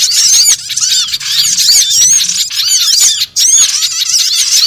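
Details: Many small birds chattering in a lure sound for trapping: busy high squeaks and curved chirps in a steady mass, with a short break just after three seconds.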